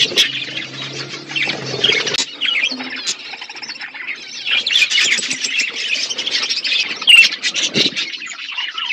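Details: Budgerigars in a flock over winter food, a steady mass of high twittering chirps and warbles with short squeaky whistles, plus brief wing flutters.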